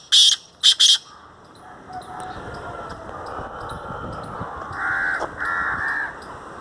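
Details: Black francolin in Sindh, Pakistan: two sharp, loud, grating bursts open the recording, then quieter rasping notes and a steady hiss of background noise, with two fainter harsh notes near the end.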